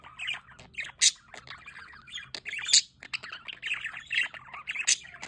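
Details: Budgerigars near a solar water fountain, a flock chattering continuously with bursts of warbled, scratchy notes and sharp squawks that peak around one and three seconds, several birds overlapping throughout.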